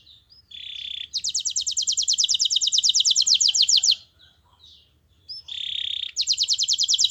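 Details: Canary singing a master song to encourage others to join in: a flat whistled note followed by a long, even, rapid trill, a short quiet gap, then the same whistle and trill again over faint low rumble.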